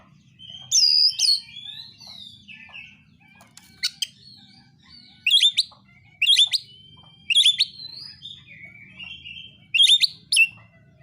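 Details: Oriental magpie-robin fighting song to provoke rivals; loud looped whistles open, then sharp chattering phrases with bright whistled tails repeat roughly every second or two, over a steady low hum.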